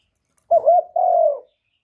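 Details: Spotted dove cooing to stimulate decoy doves, recorded live without background noise: a short wavering coo followed by a longer, steady, slightly falling coo, both low and mellow, with a brief gap between them.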